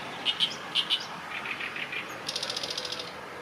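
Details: Oriental reed warbler singing: short, sharp paired notes at the start, then a quick, harsh run of repeated chattering notes toward the end, over a quiet background.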